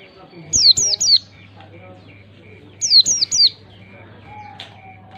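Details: Oriental white-eye, a recording to encourage young birds to start singing: two tight triplets of high, downward-sweeping chirps about two and a half seconds apart, followed by a faint low whistle over a steady background tone.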